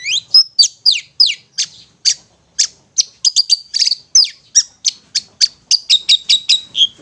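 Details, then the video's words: Long-tailed shrike giving ngetet-style song as therapy for stressed or silent shrikes: repeated sharp, downslurred high notes roughly every third of a second, growing quicker and more clustered toward the end. "Terapi Suara Cendet NGETET untuk pancingan Cendet STRESS dan BISU"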